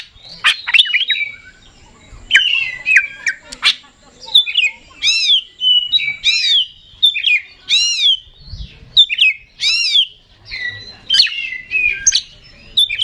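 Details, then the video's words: Oriental magpie-robin, an Indonesian contest songbird singing 'super gacor': a rich, varied stream of sweet whistled phrases, quick slurred notes and sharp chips in short bursts with brief pauses between. "Suara Kacer Super Gacor Ngeplay Konslet Ekor Goceng"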